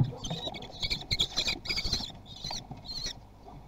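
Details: Common kestrel chicks at a nest in Théding, 17 June 2020, competing to be fastest to eat: bursts of harsh, buzzy, overlapping begging calls in quick irregular succession, with rustling and thumping underneath.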